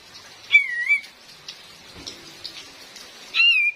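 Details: Female cream-vented bulbul used as a lure for trapping in forest; two separate slurred whistled notes, each dipping then rising slightly, about three seconds apart, over steady rain hiss.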